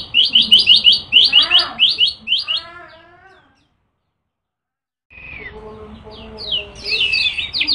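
Yellow-bellied prinia singing rapid, high, chirpy notes in quick runs. A brief silent break follows, then more busy high phrases over lower, harmonic, warbling notes.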